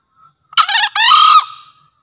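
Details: Green junglefowl rooster in breeding condition, a master bird for luring wild junglefowl, delivers one brisk crow. A faint short note comes first, then a broken harsh burst and a long even tone that trails away.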